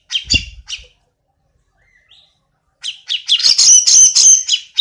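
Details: Grey-cheeked bulbul: a few harsh chirps with a low thump, a quiet gap, then a rapid chattering run of scratchy, squawking notes building into a dense burst.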